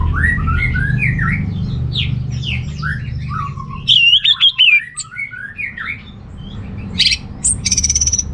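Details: Orange-headed thrush song meant to excite males without breeding urge. Soft rising and falling whistled notes give way to a loud wavering warble, then short sharp buzzy bursts near the end.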